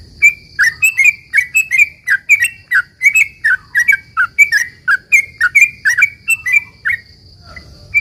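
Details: Sooty-headed bulbul song used as a lure to make other bulbuls reply: long run of bubbly, slurred notes repeated rhythmically at about one per second, each dropping then rising, steady faint tone above.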